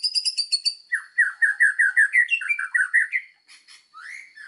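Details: White-rumped shama singing a varied master song for bird training: quick high chips, then a string of rich, rolling warbled notes repeated nearly three times a second, ending in a rising whistle.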